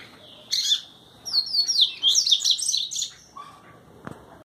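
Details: Double-collared seedeater from Brazil singing in the style known as "trovão": a fast, jumbled run of high, sharp chirps and twittering notes lasting about three seconds, followed by a short lower whistle and a click.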